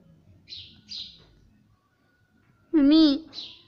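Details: Parrot talking, taught to say mummy and papa: two soft high chirps, a pause, then one loud, steady, speech-like syllable followed by another chirp.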